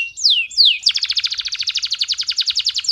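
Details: Male canary singing hot to teach young birds and excite females: two high downward-sliding whistles followed by a long, even, rapid rolling trill of buzzy notes, about nine per second.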